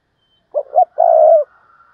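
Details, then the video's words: Decoy spotted dove calling in the 'thúc bổi' style to lure wild doves: two short, low, hollow coos followed by a longer, steady, drawn-out coo, then quiet. "tiếng cu mồi thúc bổi, cu gáy mồi cây"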